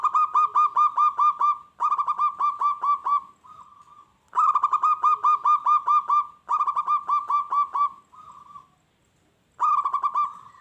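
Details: Local zebra dove singing hard, a sound that sets wild doves answering and attacking each other; five clean phrases of fast, pulsing low coos, each with several evenly spaced notes, separated by brief pauses.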